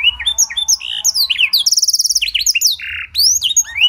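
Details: Caged canary with blackthroat-tutored song used as a master lure to prompt other canaries to sing; clear, rapid mix of rising whistles, sweeping notes and fast buzzy trills in quick succession, no other sounds.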